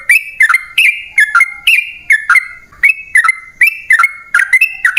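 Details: Sooty-headed bulbul singing hard, used as a lure to draw wild birds into replying. Steady chains of clipped, down-slurred whistles repeat without pause.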